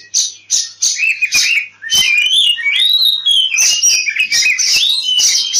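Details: An agitated, fighting-mode oriental magpie-robin, played as a lure to spur other birds to sing, pours out a loud, fast medley of rich whistles, rising slurs and harsh buzzy notes almost without pause.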